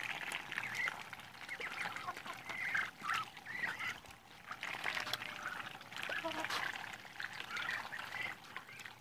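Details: A group of Muscovy ducks on day 52: many short high peeps and chirps crowd together, some rising, over a steady trickling, pouring background with faint voices.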